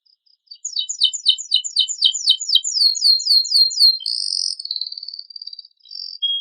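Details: Canary with a rich varied song, used to provoke other birds to sing: fast high rolling trill of repeated notes about four per second, then a buzzy phrase and a thin sustained whistle.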